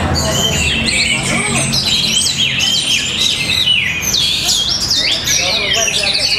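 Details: Powerful song of an orange-headed thrush from Tabanan, Bali: rich, looping whistles that bend up and down in rapid succession, interspersed with short chirps, with other birds calling underneath and low background chatter.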